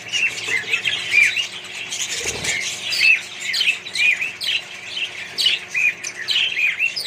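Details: In a mixed colony, budgerigars keep up a lively chatter of chirps and short whistles. A soft low thump or rustle sounds midway through.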